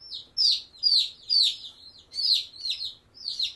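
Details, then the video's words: Black Australorp chicks peeping: high, thin, downward-slurred peeps repeated about twice a second, slightly uneven in rhythm, with no other clear sounds. "Black Australop Chicks"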